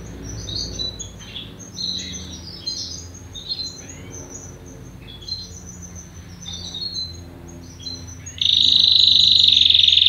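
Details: Young unpedigreed canary starting to find its song: scattered soft high chirps and short slurred notes, then a sudden loud, sustained buzzy trill near the end.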